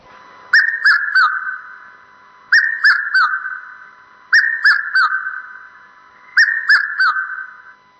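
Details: Red-chested Cuckoo in South Africa, heard far more than seen in forest areas and a sign summer is coming, gives its loud three-note whistled phrase, each note falling, repeated about every two seconds, over a faint electronic hum.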